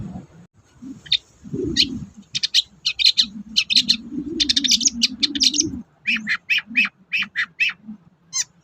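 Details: Lure recording of a Long-tailed shrike for birds that refuse to sing. Dense stuttering high chips and trills are followed by spaced sharp chirps, with a steady low droning hum underneath.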